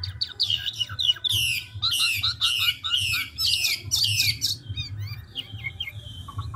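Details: Large forest-caught Chinese hwamei of the 'ngũ trường' kind in fast voice-switching song, a run of loud rasping bursts and bright whistled slides, ending in thin clipped notes, with low hum beneath.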